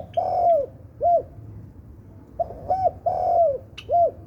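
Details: Spotted dove, known locally as tekukur sultan, singing; soft, mellow cooing notes, some drawn out and others short and rounded, in a rhythmic phrase of about five coos with a low background hum.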